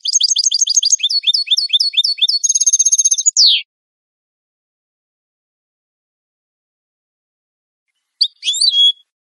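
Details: European goldfinch clean song used to train captive birds: rapid high twittering notes run into a dense buzzy trill and a descending slur, then a long silence before a brief tinkling phrase.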